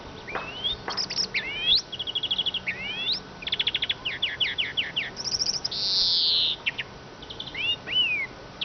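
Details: Eurasian siskin singing a lively varied twitter of rapid trills, rising whistled sweeps and clipped chirps, broken by a long buzzy wheeze around the middle, all high-pitched over a quiet steady background.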